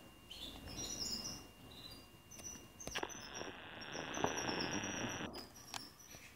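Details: Canaries in an aviary in Anapa, Russia, where young males bred in 2019 learn song from adult tutors, six tutors and twenty-eight pupils. High chirps and short whistles lead into a sustained buzzy trill lasting about two seconds, then more chirps.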